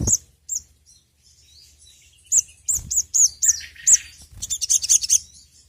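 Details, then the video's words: Sunbird known as sogon, used to lure birds into singing: scattered high chips building into a string of sharp, downslurred notes and a quick high trill. "PANCINGAN BURUNG SOGON TERAMPUH SEPANJANG MASSA..!"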